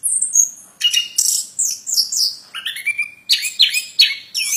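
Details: Plontang bird singing: a rapid, varied run of high chirps, sharp downslurred whistles and buzzy notes, packed closely with brief pauses, loud and clear with no other sounds.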